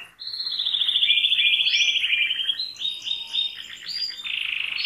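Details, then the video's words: Canary singing a fast, rolling trill that slowly drops in pitch, broken by brief high whistles, then a change to a new rapid phrase at the end. "غناء الكناري|Canary singing|Canarias cantando|Kanarie sjunger|Kanarya şarkı söyleme"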